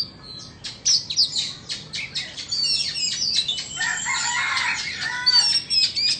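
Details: Oriental magpie-robins from Vietnam and Indonesia competing in song: rapid sharp clicks and chip notes at first, then a dense, warbling run of whistled phrases with clear descending notes near the end.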